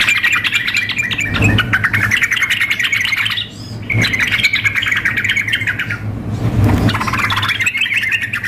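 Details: Sooty-headed bulbul female calling a male, paired with an excited singer for contest simulation; long runs of fast stuttering chatter in three bursts separated by short pauses, over a continuous low electrical hum.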